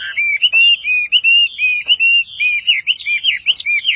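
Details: Loud Chinese Hwamei song of rich, slurred whistled notes, each rising then falling, delivered in an even run with a few faint clicks behind.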